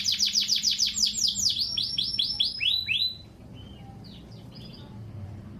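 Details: Domestic canary singing a simple lure song for training birds: quick repeated high sweeping notes in a fast rhythmic series, then softer scattered whistles and short chirps after a pause.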